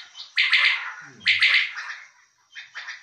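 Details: Two loud, crisp three-part calls from a male common quail about a second apart. Softer trailing notes follow, with a faint low human voice beneath.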